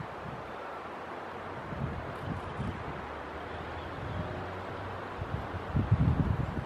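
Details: Gusty wind buffeting the microphone, rising into louder low thumps near the end, with no birdsong.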